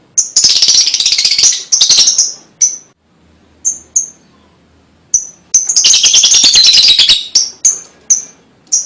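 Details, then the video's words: Lovebird song used as a lure for young birds: a long shrill chattering phrase, a quiet gap with a few isolated chips, then another dense rasping burst and scattered high notes. "LOVEBIRD MANAPUN PASTI IKUT NYUAT DENGAR 3 DETIK KICAU INI"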